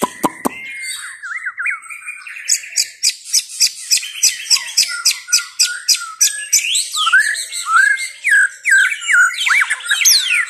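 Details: White-rumped shama in full song, a long varied medley of sharp clicks, whistled slurs, fast trills and descending sweeps, delivered in quick bursts roughly every second.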